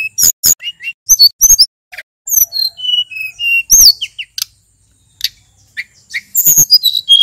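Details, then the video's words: Male sulingan, endemic to Mount Merapi, singing energetically as a lure for other birds: bursts of sharp clicks alternating with short, clear, level or gently falling whistled notes, with brief pauses between phrases. "Burung sulingan gunung merapi nyiul GACOR ,suara pancingan SRDC & tledekan BAKAU agar cepat NGEPLONG"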